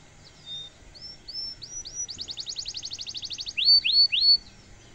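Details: Domestic canary in full song, a luxurious cengkok mewah style used to tutor other canaries: thin whistled upslurs, then a fast buzzy trill of about twenty notes, ending in three loud, ringing downslurred whistles.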